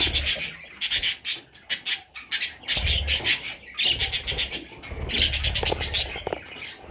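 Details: Young parrot chicks give rapid, repeated raspy squawks in quick bursts, several per second with short pauses, alongside soft low thumps and rustling as the birds move.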